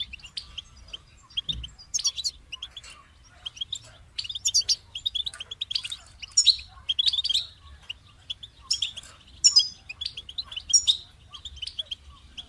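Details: Extended goldfinch song of bubbly twitters and crisp buzzy flourishes, coming in clustered bursts separated by short pauses; a single low knock sounds early on.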